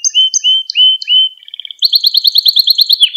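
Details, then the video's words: Canary training song meant for teaching young birds: four clear falling-then-level whistles, a soft short rattle, then a fast, even, bright trill repeated about six times a second. "Kanarya Ders Ötümü ve Kanarya Sesi"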